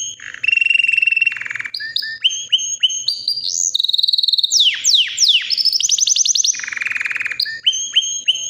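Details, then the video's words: Three-year-old white canary in non-stop song, mixing steady held whistles with fast rattling trills and steep descending sweeps, the phrases changing every second or so, loud and unbroken throughout. "BEAUTIFUL WHITE CANARY NON STOP POWERFUL SINGING"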